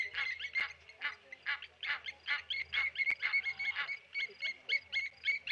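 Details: Blacksmith lapwings mobbing and dive-bombing a tawny eagle at a wildlife waterhole, Okaukuejo, Namibia: rapid, sharp metallic clinking notes repeated about four per second, several birds overlapping, with a low hum beneath.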